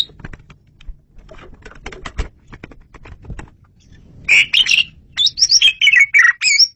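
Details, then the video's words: Asian pied starling song, clear and loud, used for luring birds: soft clicks and tapping noises first, then a lively burst of chattering, squeaky whistles repeated in quick succession. "SUARA JALAK SUREN RAJANYA"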